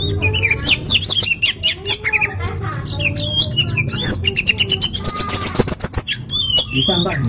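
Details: Oriental magpie-robin singing a loud, restless stream of varied whistles, quick slurred trills and sharp upward notes, nearly continuous, over a steady low hum and some clattering background noise.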